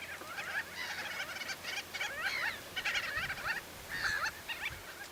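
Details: Wild common shelducks feeding in the Tancat de Milia reserve in April, many birds together: dense bursts of rapid, nasal, wavering calls, clustered in groups, over a steady noisy background.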